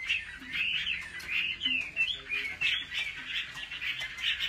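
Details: Home-trained Chinese hwamei in competition-style song: a continuous wavering, looping warble in irregular surges, several phrases rising and falling, with a quiet low hum underneath.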